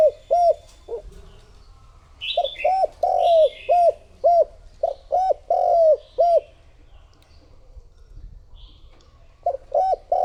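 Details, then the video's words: Lure spotted dove calling to attract wild doves: groups of low, rounded coo notes delivered in quick runs, then a silent gap before a fresh phrase; brief higher twittering from other birds overlaps early runs. "Cu gáy mồi thúc gù gọi bổi"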